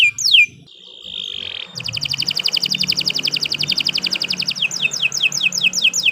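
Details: Continuous canary song meant as a tutor for other birds: a descending sweep, a steady held whistle, then a long fast rattling trill and closing downslurred notes, with faint low background hum.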